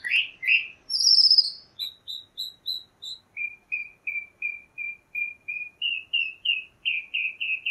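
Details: Chalk-browed mockingbird song: opening slurred whistles and a drawn-out high note, then a long run of short, evenly spaced whistled notes that drop lower and repeat in steady series, about two per second.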